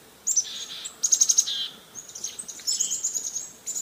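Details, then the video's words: Black-capped chickadees giving their anti-predator mobbing call while agitated by a predator: quick runs of four or five high sharp chips, thin whistles and buzzy notes, repeated in bursts over steady background hiss. "of my favorite examples, and I know we have so many ornithologists in the room, so many of you may be familiar with this, is the mobbing call of the black-capped chickadee. So I'll play that for you."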